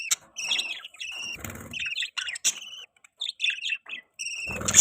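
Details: Pet budgerigars chirping, described as a mating call: bursts of bright warbling chirps and buzzy chatter in quick succession, with short pauses between phrases and a soft rustling thump near the end.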